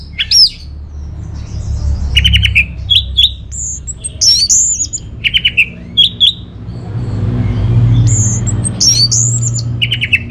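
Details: Orange-headed thrush song used as a lure and master song for caged birds: varied loud whistled phrases, some falling slurs, others sharp upswept notes, in bursts over a steady low hum.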